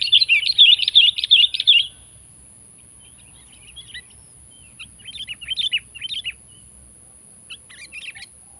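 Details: Sooty-headed bulbul challenging a rival: a loud, dense burst of rapid chirps for two seconds, followed by quieter scattered chattering phrases and short note groups.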